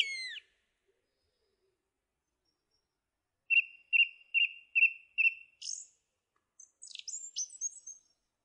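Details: Song thrush song opening with a descending whistle, then five short identical notes hammered out in steady rhythm, followed by a run of thin, high, scratchy notes.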